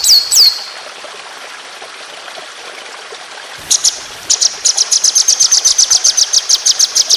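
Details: White-rumped shama: two swooping high whistles, a quiet spell, then an accelerating run of rapid, piercing repeated notes in a long 'tembakan' roll.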